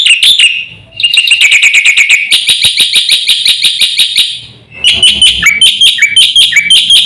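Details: Black-winged myna master song used to stir other birds: fast chattering rattles and buzzy notes repeated about three per second, a short gap, then squeaky whistled phrases dropping and rising.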